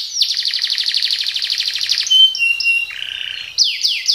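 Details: Canary song in speed-roll style: a long, fast, even trill of falling notes, then short pure whistles at stepped pitches and three sharp downward sweeps.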